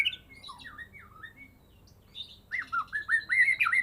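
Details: Caged White-rumped shama, a Medan-type bird kept since a fledgling and singing well after its first moult, gives a run of loud, clear upslurred and looping whistles, rapid and varied, after softer chirps.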